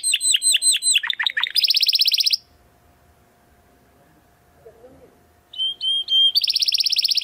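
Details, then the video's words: A Belgian canary sings 'estralando': repeated falling notes, then a dense buzzy trill, a long silent pause, and the song resumes with level whistles and another buzzy trill. "CANÁRIO BELGA CANTANDO ESTRALANDO !"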